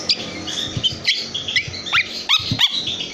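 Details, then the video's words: Young long-tailed shrike, three months old, kept by a keeper and still calling after its tail feathers were pulled out: sharp chirps and quick sweeping whistled notes, some falling and some rising, given in irregular bursts over a faint steady hum. "piyek cendet 3bln super bandel. habis di cabutin ekor..tetep bunyi."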